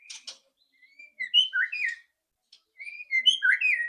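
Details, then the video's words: White-rumped shama, with loud rattling song used to prompt birds to sing quickly: two short harsh ticks, then clear varied whistled phrases, slurring up and down, in two bursts separated by silence. "PANCINGAN MURAI BATU AGAR CEPAT BUNYI ketrekan keras murai batu"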